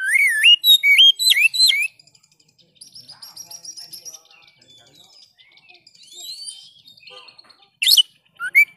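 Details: Oriental magpie-robin song used as a tutor for kept birds that have stopped singing: loud whistled phrases with rising and falling sweeps and sharp chirps for two seconds, a quieter buzzy stretch, then renewed bright whistles.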